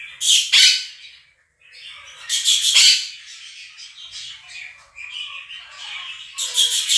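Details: Two pet Quaker parrots at home scream loudly over a played recording of a chirping, singing budgie flock. Harsh, broadband screeching bursts come at the start, near the middle and at the end, with softer twittering chatter in between.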